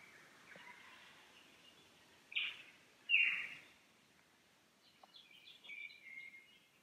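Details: Lyrebird heard in the Cathedral Ranges on a Sunday morning, streams nearby; the phrase belongs to the traditional 'Song A' cadence. Two sharp, loud, harsh bursts come about a second apart, followed by faint twittering over rushing water.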